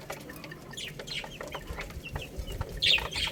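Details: Little chicks feeding on rice, with soft scattered pecking taps and rustles before a sharp, bright high-pitched chirp near the end.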